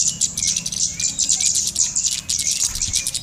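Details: Golden-headed cisticola lure recording, used to draw wild birds onto lime sticks. Fast, high, sharp chirps trill almost continuously, with a few lower, rising whistled notes between them.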